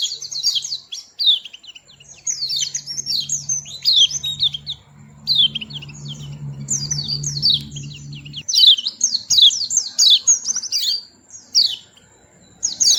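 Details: Sweet-singing small white-eye delivering repeated bursts of high, slurred, down-swept chirps over thirteen seconds, with a low steady hum present through the middle part.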